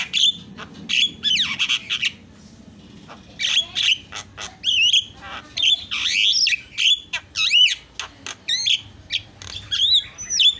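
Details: Long stretch of Javan myna isian song for tutoring and prompting birds to sing: grating rasps, clicks and twisting squeaky whistles alternating in varied, irregular bursts.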